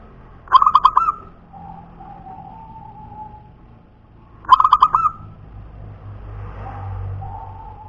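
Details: Local natural punden zebra dove giving two cooing phrases about four seconds apart. Each is a fast stutter of rolling coos followed by soft, drawn-out lower coos, over a low background rumble.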